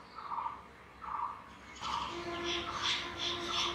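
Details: Jungle babbler (Argya striata) breeding song: harsh, nasal notes in short repeated bursts, then a louder run of higher chattering notes from about two seconds, over a steady low hum.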